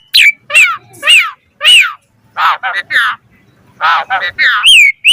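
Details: Asian pied starling song for training other starlings, mixing clear descending whistles with harsher, buzzy chattering notes in irregular bursts.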